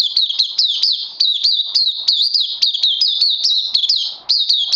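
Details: Caged oriental white-eye in sustained rapid song, steady run of high wavering twittered notes repeated several times a second, briefly dipping before resuming.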